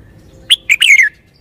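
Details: A single loud, clear song phrase from a red-whiskered bulbul: a quick high note, a brief slur, then a rolling warble falling away at the end, over a faint low hum.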